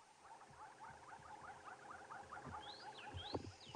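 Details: On an early-morning drive in the bush, an oxpecker gives rapid, buzzy chattering notes, two or three a second, then thin high whistles over engine rumble; its call often signals a buffalo or hippo nearby.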